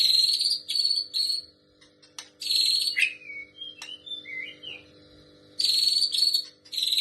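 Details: White-rumped shama singing prinia-like imitation of a female prinia: harsh buzzy bursts open and close the passage, separated by a few brief whistled slurs and a quiet gap in the middle.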